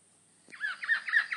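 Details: Buff-breasted paradise kingfisher, a migrant, calling at its nest while feeding: after a short pause, a quick run of four harsh, squawking notes, each bending up then down, about four a second over a quiet background.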